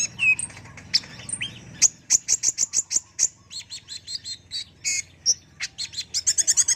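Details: Brown-throated sunbird (kolibri ninja) singing for a training recording: rising whistles at first, then crisp high chips repeated about three per second, ending in a quickening series.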